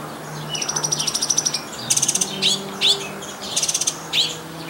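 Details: Northern mockingbird in a backyard delivering varied high phrases: a fast rattling trill, repeated buzzy notes, and sharp rising whistles, each phrase repeated two or three times, with a low hum beneath.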